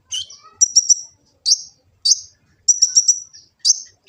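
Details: Sunbird known as kolibri ninja, Gresik, East Java, recorded for training birds: high thin notes alternating between sharp triple ticks and single short downward slurs, spaced by brief silences.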